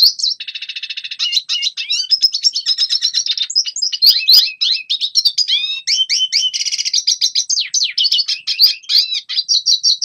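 A red siskin sings a fast, unbroken run of high twitters, buzzy trills and sharp rising and falling notes. No other sounds are heard.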